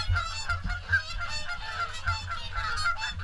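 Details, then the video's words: A gathered swan flock honks continuously at the morning feed at WWT Caerlaverock: nasal, bugling notes overlap without pause above a softer low hum. "Morning Swan Feed"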